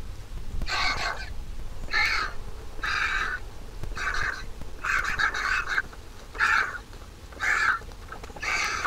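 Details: Massive vulture nestling being fed by its mother in the nest utters a long series of grating, squealing begging notes, roughly one per second, over constant low rumble.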